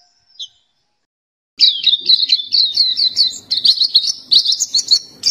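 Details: A single short high note, then a pause before a black-capped white-eye breaks into a continuous, lively run of high chirps and twitters lasting about four seconds.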